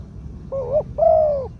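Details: One phrase from a spotted dove used as a ground decoy, in the two-'kuk' 'khu-aang' song style with a medium voice: a low wavering coo followed at once by a longer, smooth, arched coo.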